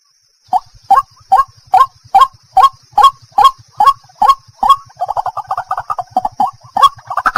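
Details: Steady repeated croaks from a White-breasted waterhen, about two per second, break after five seconds into a fast, stuttering, jumbled chatter, with a faint low buzzing throughout.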